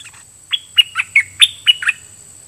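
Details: Red-whiskered bulbul used as a decoy bird, Dok Taeng song style, singing at wild birds. Seven sharp, ringing whistled notes in a brisk, evenly spaced phrase, several bending downward at the end.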